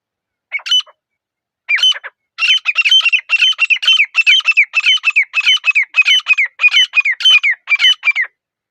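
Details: Grey francolin in forest quiet: a few separate opening notes, then an accelerating chain of loud, high, squeaky, whistled phrases repeating almost twice a second until it stops abruptly.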